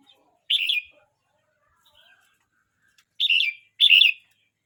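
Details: Young red-whiskered bulbul, 12 months 29 days old, sings short rich warbled bursts: one phrase, a pause of over two seconds, then two phrases close together, in a quiet setting.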